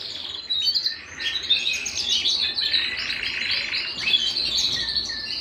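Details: Canary singing at home, a continuous bright high warbled song of fast twittering trills and rolling phrases that runs without a break after a brief opening.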